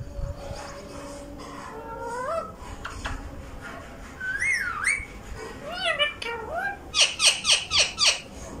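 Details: Urdu-speaking pet rose-ringed parakeet in Vehari, Pakistan, with an untrained ringneck nearby: whistled rising and falling phrases and speech-like wavering syllables, ending in a rapid run of about six sharp, piercing chirps roughly every third of a second.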